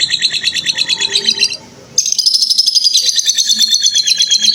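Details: Ngekek lovebird trilling for tutoring young birds: a rapid, high, pulsed chatter runs for over a second, pauses briefly, then resumes as a brighter, even denser continuous trill to the end.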